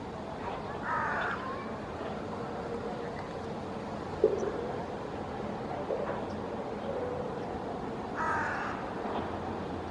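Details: Perched in a maple in Helsinki, Finland, August 2024, a hooded crow calls for its companions: a grating caw early on, a second matching caw near the end, with constant low city rumble between.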